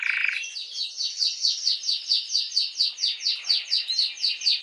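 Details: Canary singing to stimulate females for mating. A brief low buzzy burst leads into an even tour of downward-slurred notes, about four or five each second, steady and clear.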